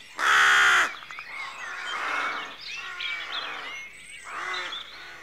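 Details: A single loud, harsh caw opens this dawn scene at a rook colony, followed by quieter throaty calls and a busy chatter of other rooks.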